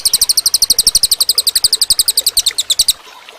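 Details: Cililin bird singing, recorded as training material for other birds: a rapid, rattling train of bright, high chirps, evenly spaced at roughly ten per second, which ends after three seconds.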